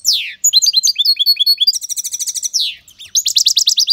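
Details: Caged European goldfinch singing loudly: a harsh downslurred rasp, then quick tinkling twitters, a rapid rolling trill, another rasp and a burst of bright repeated notes.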